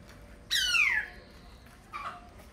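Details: Laughingthrush singing: a loud, harsh note sweeping steeply downward for half a second, followed after a pause by a softer, shorter note.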